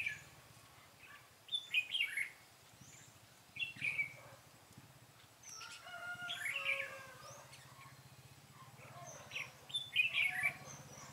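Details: Red-whiskered bulbul fighting song from a decoy bird at a trapping site, 13 March 2017; loud, bubbly warbled phrases come in separate bursts every couple of seconds over a low steady hum.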